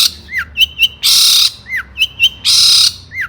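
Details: Agitated long-tailed shrike, its call meant to goad other shrikes to sing: loud grating rasps alternating with short curved whistles and thin squeaky notes, pattern repeated about twice.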